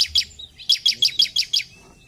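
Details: Actively singing ciblek (bar-winged prinia), a 'gacor' bird: one quick chirp, then a crisp run of seven evenly spaced, high, sharp notes delivered about six per second.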